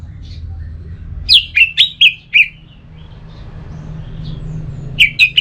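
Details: Orange-headed thrush, known locally as anis merah, its song played to stimulate another bird to sing: a series of four loud, slurred whistled notes, a quiet pause with a low hum, then three more whistles.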